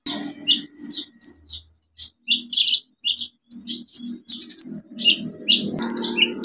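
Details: Olive-backed sunbird pouring out busy song as a lure: continuous jumbled high chirps, squeaks and twitters with varied pitch, over a low background murmur.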